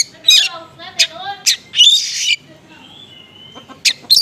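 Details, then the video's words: Lure song of an oriental magpie-robin, konslet style with small-bird material: harsh nasal squawk-like phrases and buzzy bursts, then a thin steady whistle and sharp chirps to close. "PANCINGAN KACER KONSLET MATERI BURUNG KECIL"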